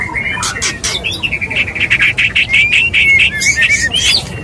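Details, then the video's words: Male white-rumped shama courting a female gives a rich run of clear whistles, rising slurs and quick chattering notes, about two phrases a second, bright and high; the recording is meant to provoke other males. "MURAI TAK KUNJUNG KAWIN⁉️Pake ini TERAPI Murai Cepat Birahi Cepat Kawin"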